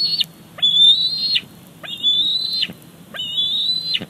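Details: Bald eaglet in its nest, squeeing to get the fish its mother has delivered, Big Bear Lake, summer 2019; three drawn-out high whistles with a quick upward start and a steep falling end.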